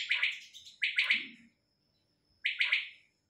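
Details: Female quail with two close bursts of rough, fuzzy chirps, a pause, then one more burst, recorded close with a faint low murmur beneath.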